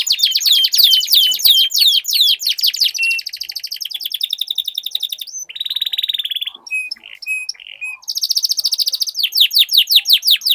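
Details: Dueling canaries in long rolling song. Fast sharp chirp trills give way to a sustained buzzy roll, then short pure whistled notes and a brief gap before rapid chirping resumes.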